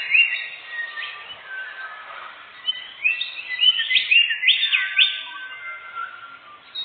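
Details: Canary song used as a lure for hunting birds in the forest: bright rising whistled sweeps and rapid trills in bursts, louder toward the end, with softer chattering between phrases.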